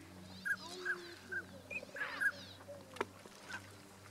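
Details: Tundra swans filmed on 1 January 2014, where adult and juvenile calls were taken: a series of short, bright, higher-pitched whooping notes spaced about half a second apart, over a low steady hum and a sharp knock.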